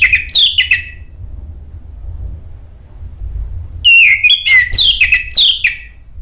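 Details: Orange-headed thrush singing, used as a lure to prompt other thrushes to answer and sing. Two bursts of rich, varied whistled phrases, rising and falling, are separated by a quiet gap of about three seconds, with a low background hum.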